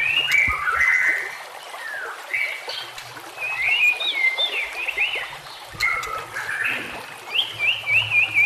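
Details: White-rumped shama song used to train other shamas, among nature sounds and trickling water: loud varied whistles, quick slurred warbles and short rising and falling notes in bursts, with a soft low hum underneath.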